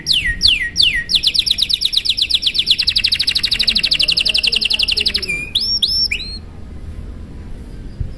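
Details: Canary song in a long, fancy style used to spur other canaries to sing: a few swooping whistles, then a long rapid trill of repeated notes about three per second, ending in short upward-hooked whistles before quiet.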